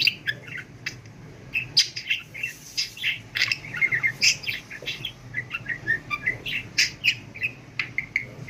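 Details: Budgerigar in talk training, chattering nonstop as if never taking a breath: busy run of buzzy, clicking and chirping syllables mixed with short whistled squeaks, steady throughout with barely any gaps.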